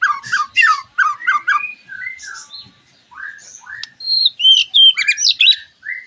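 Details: Shama lure song, white-rumped shama: quick repeated slurred notes at the start, a short gap, then bright high whistles and sharp chips in a rich varied phrase.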